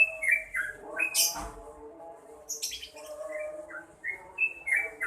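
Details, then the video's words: Yellow-vented bulbul singing vigorously: short whistled notes and slurred phrases around the mid-high range, with a quick rising sweep near the start and scattered high chirps. Faint background noise is present. "SUARA BURUNG TRUCUKAN GACOR"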